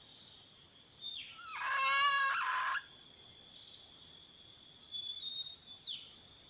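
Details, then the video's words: Over a hissing outdoor background, a red junglefowl hen gives one rough, raspy call lasting about a second while calling the rooster, with thin sliding whistles of other birds before and after. "Suab poj qaib qus ke seev ke qua tuaj zoo heev / tiếng gà mái gọi trống siêu chuẩn"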